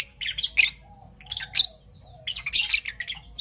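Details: Fischer's lovebirds, parblue violet and parblue turquoise colour forms, kept birds chirping in the morning: bursts of harsh, high, scratchy chirps in rapid clusters, pausing briefly between groups, with a faint steady hum behind.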